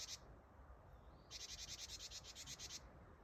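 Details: Close Japanese tit on 8 December 2025 giving its "ji-ji-ji-ji" call, which means "gather" in tit language: a short buzzy burst, then a longer rasping run of about a dozen quick pulses, with a faint whistle between them.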